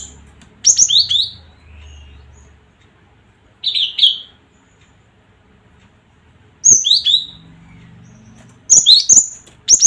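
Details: Cinereous tit calls used to provoke other birds: crisp high whistled notes dropping in pitch, given in short clusters separated by pauses of two to three seconds, with faint low hum in the background.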